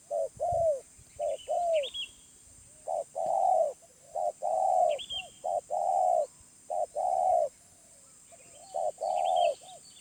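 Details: A wild spotted dove with a medium-pitched voice repeats a soft cooing phrase of quick short notes running into longer hollow ones, with uneven gaps. Scattered high chirps from other birds are heard.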